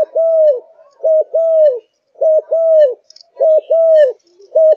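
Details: Malaysian spotted dove kept in a cage, fired up and singing: steady, clear coos, each a short paired note and then a drawn-out downslurred hoot, three full phrases and the start of a fourth.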